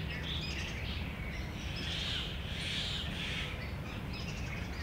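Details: A Brahminy starling calls in late spring, giving harsh, chattering calls in repeated bursts over a steady low rumble of background noise.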